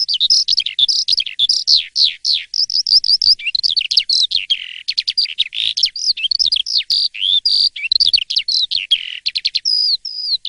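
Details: Asian pied starling (jalak suren) in full morning song, a long, dense medley of sharp clicks, high whistles and downward slurs, fast and continuous, with a few sustained whistled notes near the end.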